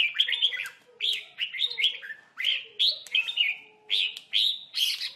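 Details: Red-whiskered bulbul caught in a trap beside a lure bird, birds fighting; loud, bright, slurred chirping phrases repeated in bursts about every half second to second, warbled and slightly buzzy.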